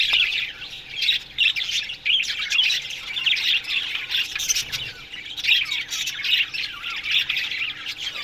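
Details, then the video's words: A colony of Australian budgerigars in an aviary in the morning, chattering without pause: high, rapid warbled chirps and harsh squeaks overlapping from many birds, swelling and easing in waves. "Budgies Morning Chirping Sounds"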